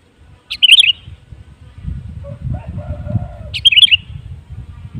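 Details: Sooty-headed bulbul song used as a lure to get other kutilang birds singing: two brief, bubbly whistled phrases about three seconds apart, with low rumbling background noise and a faint mid-pitched hum between them.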